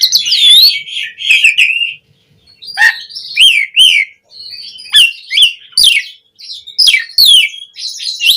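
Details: Loud, varied black-collared starling song for teaching caged starlings to sing: separate whistled and descending slurred notes with short breaks, some harsh chattering elements between.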